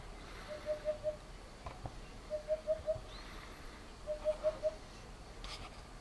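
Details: Hollow, low 'oop' notes of a Eurasian hoopoe at Chieri, Turin province, Italy, in three phrases of three to four notes, spaced under two seconds apart, with a few faint clicks and rustles between them.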